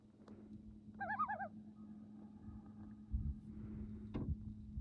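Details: Loons at a favourite spot, one brief wavering tremolo burst of quick warbling notes near the one-second mark, then quiet with a steady low hum and soft rustles and knocks.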